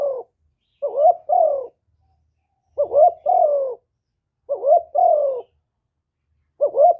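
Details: Spotted dove singing its complete calling, urging and cooing sequence, recorded clean for stimulating other doves. Repeated phrases about every 1.8 seconds. A short wavering double note leads into a longer, softly falling coo.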